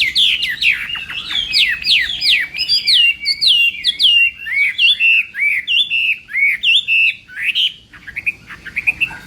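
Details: Morning training song of a Chinese hwamei in a singing contest setting: rapid, varied whistled phrases, slurred downward and upward notes tumbling about twice a second, bright and loud, ending in shorter clipped notes.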